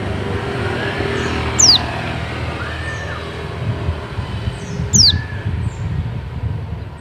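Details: Oriental white-eye from Bali giving a dakun call used to lure other white-eyes: two high, piercing downward-sliding notes about three seconds apart against loud traffic rumble and a distant soft whistle.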